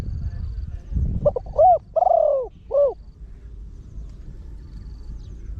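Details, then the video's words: Spotted Dove trained as a deep-voiced caller for luring wild doves. A low thump precedes one cooing phrase: quick notes, an arched hoot, a long drawn coo and a final rounded coo, then quiet. "เสียงนกเขาใหญ่ 3 (เสียงใหญ่) ขันโยน 1 กุ๊ก ขันถี่ นกป่าเข้าร่วมเร็ว"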